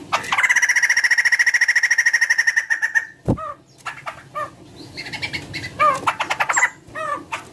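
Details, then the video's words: White-crested laughingthrush in full voice, used to stir other birds into singing: a sustained machine-gun chatter for nearly three seconds, a sharp click, then a jumble of downslurred whistles and rattling notes. "poksay jambul gacor"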